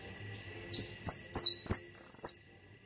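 A European goldfinch sings a quick burst of bright, tinkling, high-pitched twitters, a few liquid notes tumbling together over about two seconds, with little else heard.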